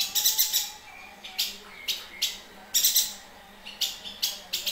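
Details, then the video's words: A yuhina chatters in bright, high, scratchy chips, given singly or in quick clusters of two to four, with short pauses between bursts; a recording meant for training other birds to sing. "Burung Yuhina Gacor"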